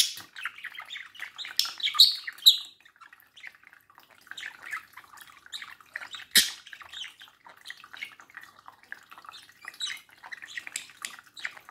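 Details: Pet budgerigar at a mirror, chattering steadily with fast, rattling chirps and ticks, louder squeaky bursts early on and one sharp click midway.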